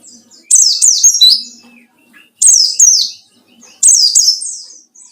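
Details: Rival-seeking white-eye in ngalas style, played as a lure; three loud phrases of tumbling, high descending whistles, each about a second long, separated by brief pauses.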